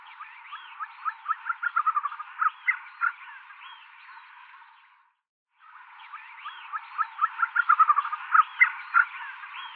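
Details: Tibetan snowcock of the Western Himalayas and Tibetan Plateau in song: accelerating series of short repeated notes with upward-curving whistles overhead, two phrases separated by a brief silence, echoing as if across mountain slopes.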